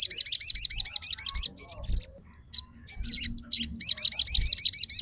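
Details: Sogon fighter responding immediately on hearing another sogon: fast series of high, looping whistled notes about three per second, a short lull with a few chips, then the rapid series resumes.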